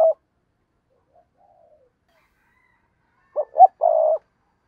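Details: Spotted dove used as a lure for wild doves: a brief coo fragment, a long silence, then two short gruff notes and one sustained low coo.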